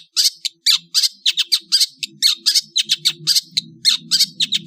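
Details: Indonesian long-tailed bird in the afternoon giving a fast series of harsh, scratchy chirps and squawky notes in irregular bursts, with a soft low rumble in the background.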